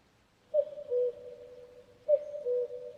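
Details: Two common cuckoo calls about one and a half seconds apart, each a short higher note stepping down to a held lower note, softly echoing in calm surroundings.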